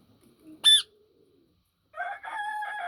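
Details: Yellow Indian ringneck parakeet giving a single piercing, high screech, followed after a quiet gap by a long harmonic crowing sound, likely a rooster, that fills the rest.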